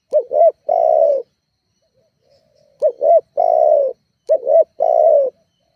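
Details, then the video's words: Spotted dove lure call aimed at provoking rivals: three phrases, each a short hooked double note running into a sustained, even coo, with a gap after the first. "Suara tekukur GACORR menekan emosi lawan"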